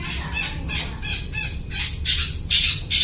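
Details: Long-tailed shrike in full song, mimicking other birds, used as a trapping lure: a fast series of harsh, grating squawks, about two or three each second, growing louder toward the end over a low background rumble.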